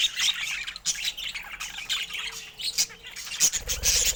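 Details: Budgerigars kept as pets, shown in rare colour mutations, keep up rapid, overlapping squeaky chirps and warbles, with a soft thudding at the end.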